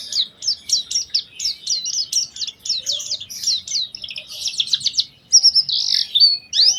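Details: Oriental white-eye singing a lure to provoke other white-eyes: a fast series of high, sharply down-slurred chips, then a buzzy trill and a long bright warbled note near the end.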